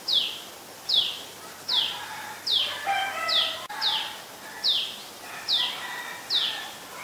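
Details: Common tailorbird, an adult, in Ubon Ratchathani, Thailand, 11 April 2022, calling steadily: nine shrill downslurred notes at an even pace of under a second apart, while other birds chatter more quietly in the middle.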